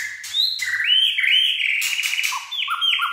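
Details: White-rumped shama in peak singing form with a sharp, steely voice: rich, loud whistled phrases that slide and waver, ending in short descending whistles, broken by sharp broadband clicks.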